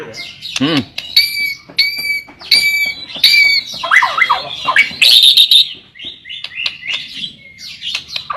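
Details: {'text': 'White-rumped shama song used to lure other shamas into singing: clear whistled notes repeated at intervals, then a jumble of quick warbled and buzzy phrases, with a faint low background hum.'}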